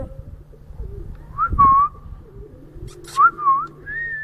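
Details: Ringneck parakeet in Bahria Town, Lahore, Pakistan, whistling clear, pure notes that dip and rise in short phrases, over a steady low hum.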